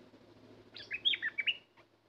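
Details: Caged lure bulbul sings one lively phrase of about six mellow, looping whistles above a low droning hum, then falls silent.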